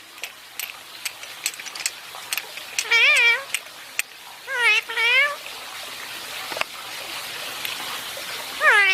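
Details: Pet Indian ringneck parakeet basking, giving several loud harmonic wavering squawks in short bursts, with scattered clicks, background noise and a person speaking faintly.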